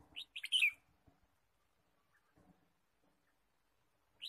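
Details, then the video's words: Red-whiskered bulbul heard while bird trapping in forest, 23 March 2017: a crisp phrase of three or four piping chirps opening the recording, light handling noises midway, then one more bright note at the end. "Red-whiskered bulbul Chirping"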